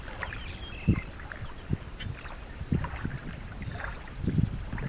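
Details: Low thumps of a paddle and kayak against water, with wind buffeting the microphone and no animal voices.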